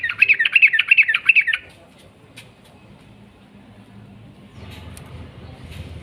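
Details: A fast bubbly trill from a Sooty-headed bulbul, a long rolling 'ropel' phrase of about eight notes, followed by quiet background hiss and a faint click.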